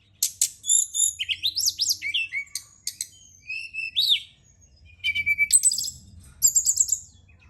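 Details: Evening lure of brown-chested jungle flycatcher intended to encourage singing: rapid jumbled warbling with swooping whistles, a lower steady whistled note, then high bright chirped phrases; soft background hum.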